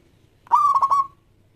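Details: Single cooing phrase from a local zebra dove, used as a lure song to prompt other doves to sing: a steady mid-pitched coo that breaks into three rapid pulses before trailing off, with faint low hum behind.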